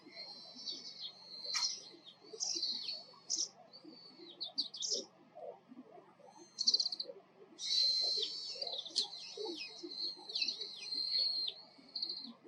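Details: Oriental greenfinch song and calls: twittering, trilled phrases with buzzy notes at high pitch, in bursts of a second or two separated by short pauses, a longer continuous run near the end; a soft low murmur underneath throughout.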